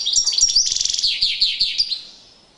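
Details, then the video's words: European goldfinch performing a courtship display song: a rapid, liquid twittering run of high chirps and trills, fading out after about two seconds. "Magnifqiue chant une parade nuptiale تغريد رائع"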